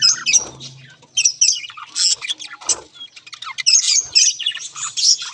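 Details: Several budgies chattering, with rapid high squawks and chirps in overlapping bursts, a short pause near the first second, then busy warbling resumes to the end.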